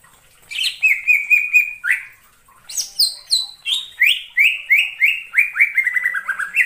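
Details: Greater green leafbird in the wild forest: a rapid string of short whistled notes, about three per second, each sliding downward and drifting lower in pitch across the phrase, after a few higher, sharper notes.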